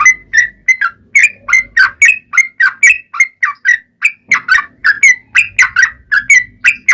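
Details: Sooty-headed bulbul giving sustained 'ropel panjang' song, played to coax other bulbuls into singing. Seven seconds of continuous chattering whistles, with varied rising and falling notes packed closely and only one short break.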